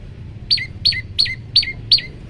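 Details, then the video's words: Olive-backed tailorbird in a varied training song, five loud, clipped high notes each sliding sharply downward, evenly spaced about three a second, with a low hum underneath. "masteran burung prenjak lumut variasi"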